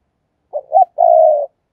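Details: Decoy spotted dove, a caged ornamental bird, giving a gáy gọi phrase: two short low notes then a long sustained even coo of about half a second, no other sounds.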